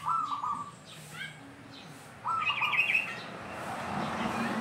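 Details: [3, 'Zebra dove (perkutut) song used as a lure for trapping other zebra doves: rolling cooing notes in a stepped phrase, repeated after a pause, with other small birds chirping higher.']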